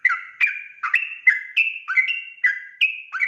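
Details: Energetic sooty-headed bulbul song played to lure other bulbuls into replying: chirpy liquid notes stepping between higher and lower pitches in a quick, even string.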